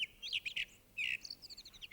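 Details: A male Common Blackbird sings its territorial song warning rival blackbirds away: bright, high chirping phrases of quick rising and falling notes, then a thin, squeaky twitter, all in under two seconds.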